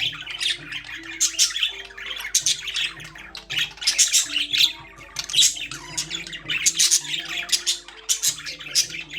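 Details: Pet budgerigars in a cage keep up a lively chatter of rapid high chirps and harsh squeaks in clustered bursts, with brief lulls between them. Quiet music sounds in the background.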